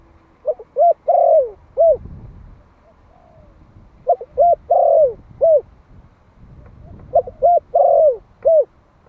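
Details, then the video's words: Young Malai spotted dove, one year old, used as a Vietnamese decoy caller to stir up wild doves, repeats its hollow cooing phrase three times about every three seconds: quick stuttered notes, then a long drawn-out falling coo and a final short note. "Tiếng chim cu gáy Malai kích bổi - Thanh niên Malai 1 năm tuổi gáy gọi"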